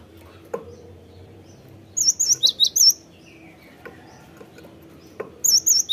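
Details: Cinereous tit song used as a lure recording to prompt birds to sing: two bursts of sharp, high, two-note whistled phrases repeated rapidly, separated by a quiet gap with faint background clicks.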